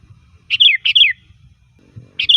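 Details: Sooty-headed bulbul song used as a lure: two quick bright phrases of descending chirps close together, then another beginning, over faint low rumbling.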